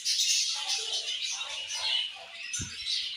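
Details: Dense, high budgerigar warbling and chirping fills this short stretch, with one brief low bump near the end.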